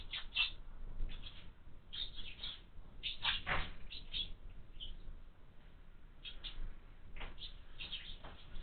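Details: Busy, overlapping chirps from house sparrow chicks in a window-mounted feeder come in bursts, some harsher and broader, continuing through the recording.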